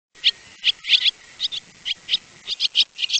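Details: Swallow calling with short, sharp, high chirps and squeaky twitters, given singly and in quick pairs at irregular intervals of about a third of a second, over a faint steady hiss.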